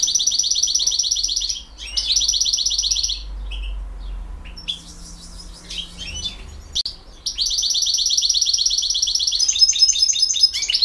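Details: European goldfinch singing in the "campero" style. It delivers dense, fast twittering bursts of one to two seconds separated by short pauses, then a long continuous twitter at the end. A low hum runs underneath and a brief steady tone appears midway.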